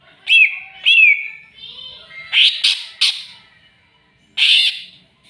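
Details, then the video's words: Greater green leafbird provoked by a rival: two clear downslurred whistles, then several harsh rasping bursts and a final loud scratchy note. "CUCAK IJO CARI LAWAN!!!bikin cucak ijo emosi"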